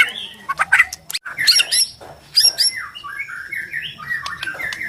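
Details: White-rumped shama from Borneo in full song, played to make other shamas stressed and combative: harsh squawky notes and dense twitters give way to a run of clear sliding whistles.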